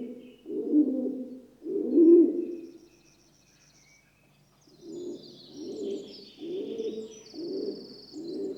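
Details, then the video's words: Rock dove, or pigeon, cooing softly: two loud, deep throaty coos, a quiet gap of about two seconds, then five quicker low coos in succession, with faint high chirping of small birds in the distance. "Rock Dove (Columba livia) Sound Effect"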